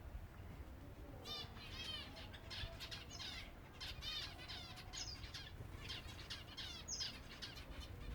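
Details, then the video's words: Feeding time for silver Java sparrows: bursts of rapid squeaky chirps and short chattering notes from several birds, separated by brief gaps, with fluttering wings and a soft low hum beneath. "finches feeding time (silver java birds)"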